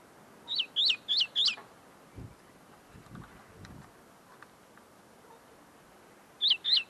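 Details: Tame common linnet still working out its notes, singing right in front of the listener: four bright hooked chirps in rapid sequence, a quiet gap with faint low thumps, then two more chirps.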